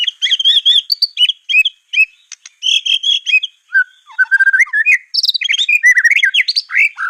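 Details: Murai batu, the white-rumped shama, in a clear master recording for other birds to copy: a lively mix of mid-pitched whistles, quick chatters and lower slurred phrases, ending in bright high notes that swoop up and down.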